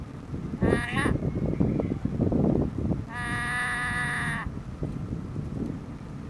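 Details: A black-headed caique chatters at length near a watching shoebill, giving two nasal, buzzy vocalizations, a brief one then a steady one lasting over a second, over a constant low rumbling background.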